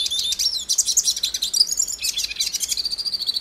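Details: Song of a hooded siskin from Brazil, a bright jumble of high chirps and twanging whistles, ending in a steady buzzy trill.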